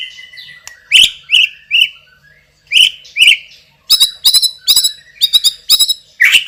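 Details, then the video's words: White-rumped shama, a champion bird with a loud, powerful voice and a spicy fill-in repertoire, delivers slurred whistles in pairs. A short pause follows, then a run of crisp, rapid, high chipping notes that grows busier toward the end. "MURAI BATU juara isian super PEDAS_suara lantang dan keras"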